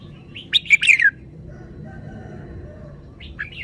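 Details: Red-whiskered bulbul delivering one loud, rollicking burst of quick falling whistles, then quiet before a softer short warble.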